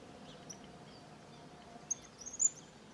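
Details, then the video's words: Cattle tyrants from a small flock in Bahia's sertão, Brazil: a quick run of sharp, very high-pitched twittering notes near the end after near silence, with faint low background hum. "Suiriri Cavaleiro Cantando"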